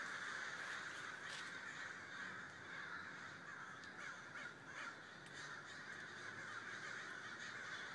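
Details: Crows in a big group, cawing constantly: a thick wash of overlapping rough calls with occasional clearer, sharper caws standing out, heard from some distance.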